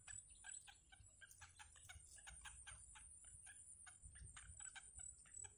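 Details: Wild yellow bittern chicks in a nest as their mother feeds them: a fast, steady run of short, harsh clucking pulses with broad, noisy overtones, over a constant high electrical hiss.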